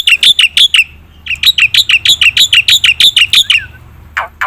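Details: Black-winged myna in energetic fill-in song, played as a lure for reluctant singers; a brief burst of bright chirps, a short pause, then a steady rapid series of high rising chirps, closing with two harsh squawks.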